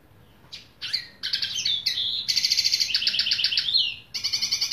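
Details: Bright bird song made of rising whistled notes that break into rapid pulsed trills and rolling buzzy phrases, ending on another quick trill.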